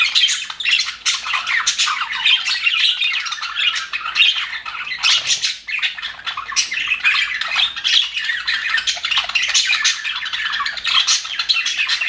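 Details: A group of happy captive budgerigars in an aviary keep up a constant chorus of scratchy warbles, sharp chirps and squawks, thick and overlapping, with one short lull around the middle.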